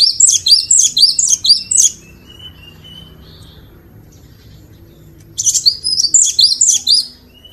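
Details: Glatik batu (cinereous tit) master song for training birds. A run of rhythmic, high, ringing two-note phrases lasts about two seconds, followed by a pause with a faint thin whistle, then the same fast phrase series resumes.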